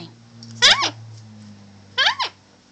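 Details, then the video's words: Pet female Bare-eyed Cockatoo, one year old, indoors, saying "hi" to its owners: two short nasal, harmonic-rich syllables, each rising then dropping, about 1.4 seconds apart, over a low steady household hum. "Yuki says Hi"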